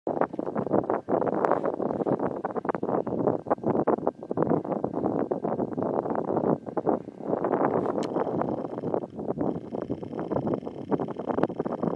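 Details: Steady wind buffeting the microphone, a dense low rumble with no clear animal calls.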